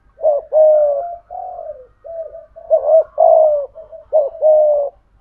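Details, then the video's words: Decoy spotted dove singing in the native 'giọng thổ' style: a continuous chain of low, mellow coos, short rising notes alternating with longer level ones, in two similar phrases. "Chim Cu Mồi/ cu gay giong tho cuc dinh"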